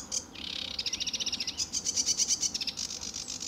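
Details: At RSPB Fowlmere, July 2013, an energetic sedge warbler in morning sun gives a buzzy churr that breaks into fast, even repeated chips and high squeaks.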